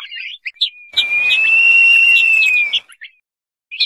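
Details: Crested partridge (roul-roul) calling: a single long, steady whistle lasting nearly two seconds, slightly rising then falling, set against a soft hiss, with brief high chirps from other birds before and after.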